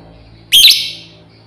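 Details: Shrill piercing screech from a female lovebird calling companions, one loud rasping note that trails off over about half a second against a quiet background.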